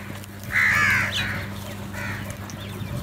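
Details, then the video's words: During a crow fight over food, one long, loud, grating caw is followed by a fainter second caw, with a low steady hum behind. "Crow Fight | Crow Sounds"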